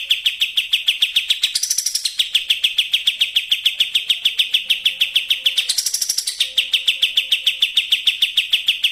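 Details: Sooty-headed bulbul racing bait song for drawing other birds to sing: a relentless, high, pulsing chatter at over three notes per second, twice jumping briefly to a shriller, higher phrase before dropping back to the steady run.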